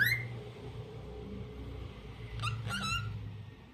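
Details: A lutino cockatiel's daily tune opens with a sharply rising whistle. After a quiet gap come a few quick harmonic chirps that end in a short level whistle, over steady low room hum.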